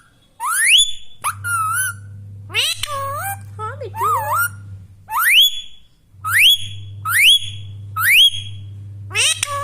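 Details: Pet Indian Ringneck parrot vocalizing indoors: sharp rising whistled shrieks repeated about once a second, mixed with wavering, speech-like warbled phrases, over a steady low electrical hum.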